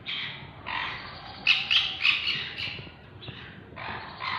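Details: Sun conure pair, parrots: rough raspy screeches in quick overlapping bursts, several shrill peaks near the middle, over a steady low background rumble.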